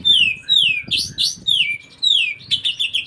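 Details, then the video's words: Oriental magpie-robin singing a song filled with kapas tembak phrases: loud, clear whistled notes slurring downward, rising buzzy notes between them, then a rapid run of short repeated chirps at the end. "KACER ISIAN KAPAS TEMBAK"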